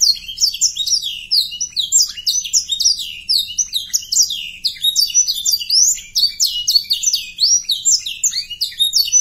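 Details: Canary song intended to stimulate young canaries into singing and breeding mood: clean, very high rapid trills of downward-sweeping notes, repeated in bursts with barely a pause.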